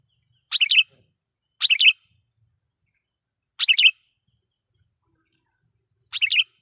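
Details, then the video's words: Four quick, bubbly chirp phrases at irregular gaps of one to two seconds from a loud sooty-headed bulbul, used as a lure and as training sound to make wild bulbuls agitated. "suara pikat KUTILANG GACOR /kutilang suara keras,membuat kutilang liar EMOSI"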